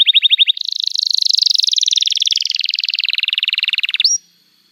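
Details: Canary singing a long 'cuit cuit' song, used to lure young canaries learning to sing: a fast, even trill of high repeated notes that shifts pitch partway, runs about four seconds and ends on a short rising whistle.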